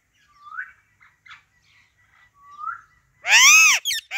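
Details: Female Alexandrine parakeet, natural voice: two soft rising whistles and a faint chirp, then a sudden loud, raucous squawk followed by a short second one.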